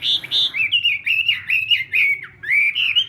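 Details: Morning practice singing by a Chinese hwamei, a loud sequence of clear whistled slurs rising and dipping, with a brief pause before the phrases resume.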